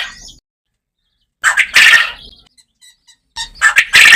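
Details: Farm quail recorded in a natural setting, giving two loud, harsh, broadband bursts about two seconds apart, each made of several rapid rasping pulses, with a faint scratchy sound at the start.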